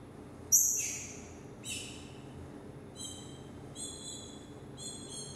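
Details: Young green-winged saltator, a 2018 revelation, in 'mexida' song: a loud piercing note falling into a downward slur, a second shorter descending phrase, then a series of clear, ringing whistled notes repeated about once a second.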